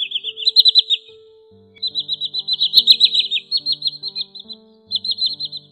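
Common Sandpiper giving high, rapid trilled bursts that run for a second or two with brief pauses, over a faint low steady hum.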